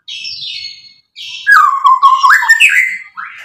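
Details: White-rumped shama singing loudly as a lure to make rival shamas answer: a soft high whistled note, then a strong wavering lower whistle rising at the end, followed by a short high phrase.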